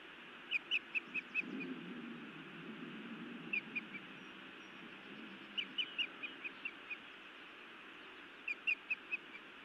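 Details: Montana nest, evening of 31 May 2017: a female osprey scolds and bites her mate, giving several short runs of thin, piercing chirps separated by pauses, over a constant low background hum.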